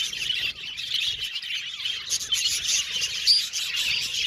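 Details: Cheerful budgie chirping: overlapping quick tweets and warbles in a high register, a brief dip in loudness near the start, then busy chatter with one clear whistled note.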